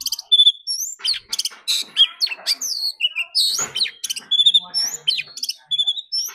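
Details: Oriental magpie-robin in competitive duel singing, said to keep fighting in song all day; loud, restless song of clear whistles, harsh buzzy notes and quick trills, phrases following almost without pause.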